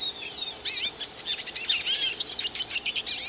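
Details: Brief stretch of hooded siskin song: quick, sharp chirps and rising and falling whistled slurs tumble together in a lively high twitter over faint background hiss.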